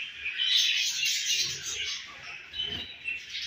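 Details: Home-bred budgerigars with a baby budgie, pets: bright, steady chirping chatter with whistled squeaks, easing slightly, then picking up again.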